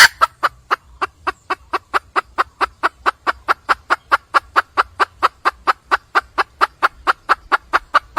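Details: Calling for a male, a wild red junglefowl hen gives a long unbroken series of clipped, harsh clucks, about four or five per second, regular and sustained throughout against a quiet background.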